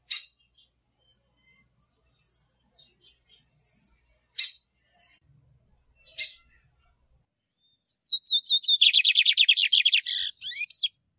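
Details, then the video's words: Male lined seedeater song with female calls, for training caged birds: several sharp spaced chips over a thin high tone, then whistled introductory notes leading into a fast, rattling buzzy trill. "CANTO DO BIGODINHO MACHO E PIADO DA FÊMEA BIGODINHO"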